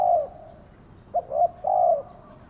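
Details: Lure spotted dove cooing, with a drawn-out mellow note ending, then a brief clipped note, a second short coo and another long falling coo.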